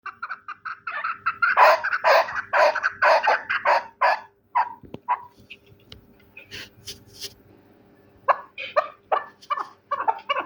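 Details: Terali chukar partridge giving bursts of harsh, clucking chuk notes, about two a second, with a pause midway before a second run of rapid, rising calls.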